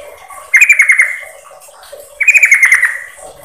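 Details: Sooty-headed bulbul female calling to a male, a lure recording: two brief stuttering phrases of quick bubbly notes, each under a second, gently falling in pitch, separated by a short pause.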